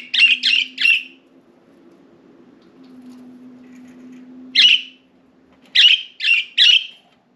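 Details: Pet budgies out of their cage on window blinds indoors; a quick triple of gritty chirps, a long pause with a steady low hum, then one chirp followed by three more in fast succession.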